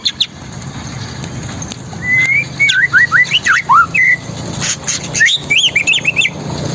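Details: Long-tailed shrike singing a varied song: sharply slurred whistled notes sweeping up and down, quick chattering bursts of short squeaky notes, steady background hiss and low hum.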